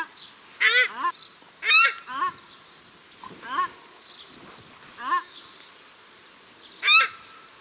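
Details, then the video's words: Male and female paradise shelducks calling at Cornwall Park, Auckland, New Zealand: loud, harsh honking calls, some rising and strongly harmonic, in separate bursts about one second apart, with gaps between groups. "Paradise Shelduck Calls at Cornwall Park Auckland，New Zealand"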